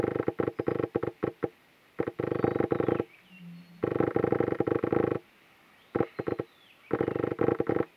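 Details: Young brown fish owl recorded 23 April 2020 at Shek Kong, giving harsh, rasping, rattly bursts of one to two seconds each, separated by short pauses.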